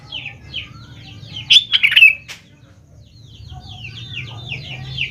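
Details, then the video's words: Sooty-headed bulbul lure recording meant to get young birds responding: one loud burst of bubbly, warbled whistles in the middle, surrounded by a steady backdrop of thin, high chirps from many birds. "BURUNG KUTILANG GACOR | dijamin 100% nyaut GACOR kutilang muda anda"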